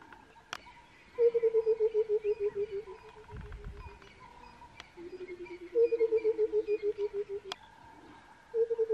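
Burchell's coucal gives runs of deep, hollow hoots poured out quickly, each falling gently in pitch like liquid from a bottle, with faint background birdsong.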